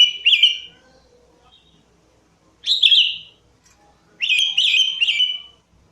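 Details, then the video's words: Sooty-headed bulbul (kutilang) lure song, three warbled phrases, each a bright bubbly burst near 3k with higher overtones, spaced about two seconds apart in a quiet background. "BURUNG KUTILANG GACOR || Suara Kicau Pikat Burung Kutilang."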